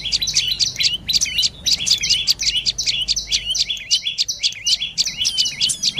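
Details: Sharp, high dark-necked tailorbird chirps delivered in rapid clusters, two or three notes per burst, repeating steadily, against a calm background.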